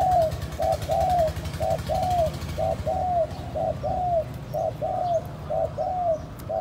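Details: Spotted dove calling to stimulate and lure other doves: evenly spaced, arched cooing notes, about one per second, over a strong low hum and broad hiss.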